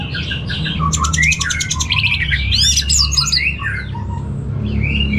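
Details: Caged orange-headed thrush from Singaraja, Bali, pouring out a rich medley of fast rattling trills, sweeping whistles and sharp chirps, with a low background drone throughout.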